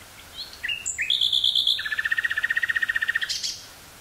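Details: Common nightingale singing in Dutch woodland near Burgh-Haamstede on 18 May 1983, portable stereo cassette recording; brief whistles lead into a buzzy trill, then a lower, very fast rattle of repeated notes ending in a high flourish.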